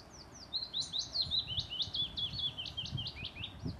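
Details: Male common chaffinch singing at Redmires Woods in the Peak District, UK: a fast descending series of bright, sharp chipping notes accelerating into a rattling run and ending with a flourish, faint low rumble behind.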